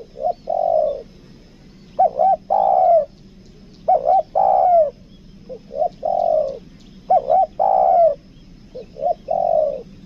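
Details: Caged spotted dove kept as a lure bird, 'kuk dua' calling style, Lombok, Indonesia: repeated phrases about every two seconds, each a couple of short clipped notes followed by longer rich hoarse coos, with a faint constant high-pitched whine.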